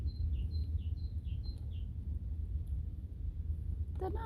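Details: A great tit sings on a hike along the Thames, repeating a bright high-low two-note phrase five times in quick succession over heavy wind rumble, before a person's voice breaks in.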